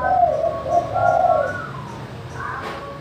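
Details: Spotted dove in the manggung style, used as a lure for doves slow to call: a wavering mellow coo phrase over the first half, followed by thin whistled tones and a sharp click.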